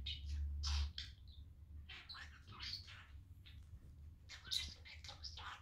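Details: Talking male budgie kept indoors as a pet, playing happily on a sunny day; rapid warbled chatter of clipped, buzzy syllables and sharp squeaky chirps in uneven bursts over a constant low room hum.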